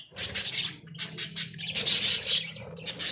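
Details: Australian budgerigars kept in a small cage produce quick bursts of high, raspy chatter and squeaky chirps with brief pauses between.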